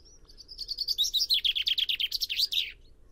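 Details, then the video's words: Common chaffinch song: a single strophe of about two and a half seconds, a rapid series of bright notes that starts high, accelerates and descends, ending in a short emphatic flourish. A low steady background hum sits beneath it. "O canto do TENTILHÃO-COMUM (FRINGILLA COELEBS)/CHAFFINCH SONG"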